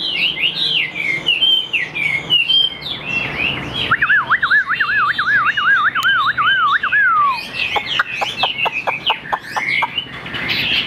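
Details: Tame caged Chinese hwamei singing freely: loud looping whistled phrases, then a long rapid warbling trill wavering up and down for about three seconds, ending in a series of sharp clicks.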